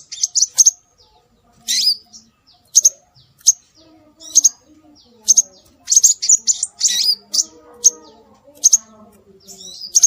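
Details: Scarlet minivet calls played as a lure to draw birds in: high, thin chirped notes in short clusters, spaced about one second apart, over faint lower warbling and whistles in the background.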